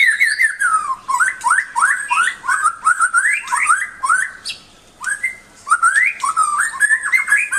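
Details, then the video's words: Rich, varied song of a white-rumped shama, rising whistled slurs delivered in fast succession with rattling accents, a short pause near the middle, then more upward-sweeping notes. "Kicau murai yang bikin ngiri nie super banget"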